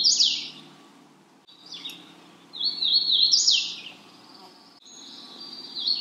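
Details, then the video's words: Magnolia warbler giving short bursts of high, slurred, down-sweeping notes, separated by quiet gaps of about a second, with a softer thin whistle between phrases. "Magnolia warbler Calling."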